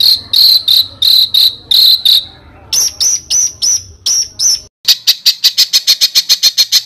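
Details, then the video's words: Competition-bird master song: paired high whistled notes repeated, then a series of sharper rising notes, ending in a rapid string of crisp high ticks. "SUARA BURUNG MASTERAN BURUNG LOMBA"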